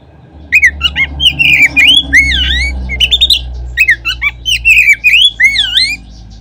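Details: Singing Oriental magpie-robin on a lure recording intended to provoke other magpie-robins to sing. Steady, fast whistled phrases of looping notes and short chips continue over a constant low background hum.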